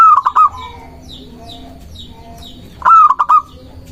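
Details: Local zebra dove song used for luring and provoking rivals: two stuttering coo phrases about three seconds apart, each a handful of quick soft notes, with repeated high chirps of other birds between them.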